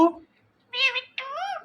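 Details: Talking Indian ringneck parakeet saying two clear speech-like words: a short nasal syllable, then a longer, rich harmonic phrase with a gentle rise and fall, in a quiet room.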